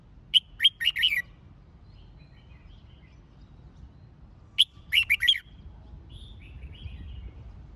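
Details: Red-whiskered bulbul song used to rouse and train birds for competitive singing: two brisk phrases of rapid, clear whistled notes about four seconds apart, with soft low rumble between.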